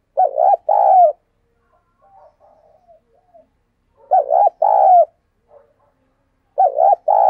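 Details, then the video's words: A dove used as a decoy bird coos to call wild doves: low, mellow coos, a quick doubled note then a longer hoarse one, about every three seconds, with soft murmuring notes between phrases. "Chim Cu Mồi Thúc Gù Và GÁY Gọi Bổi"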